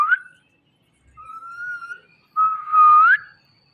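An Indian ringneck parakeet gives three clear whistles: a brief upslur, a long level note, then a louder drawn-out whistle that sweeps sharply upward at the end.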